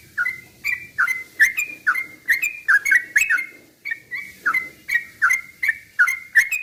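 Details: Steady series of clear down-slurred whistles from a yellow-vented bulbul, about two to three per second, over faint low background noise; sung to provoke other bulbuls into agitated singing.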